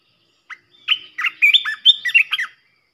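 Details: Fierce red-whiskered bulbul singing as a decoy to provoke rival bulbuls: a lone opening note, a pause, then a lively chain of rich, looping whistled syllables, clean and close with no other sounds.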